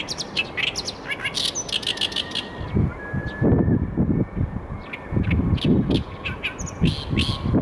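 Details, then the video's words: Oriental reed warbler delivering loud, scratchy, rapidly repeated chattering phrases for the first two and a half seconds, followed by sparse notes over heavy low rumbling noise, possibly wind. "オオヨシキリの鳴き声 2"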